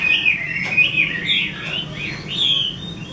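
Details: 'Mơ' type Chinese hwamei, a keeper's bird, pouring out a steady, high whistled song of sliding, wavering notes with no pauses over three seconds.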